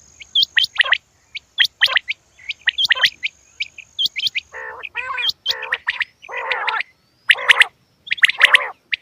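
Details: Sharp high chirps and hooked whistles from a female quail, then a run of rough, nasal harmonic calls in the second half, fairly loud and irregularly spaced, with a steady faint high tone behind.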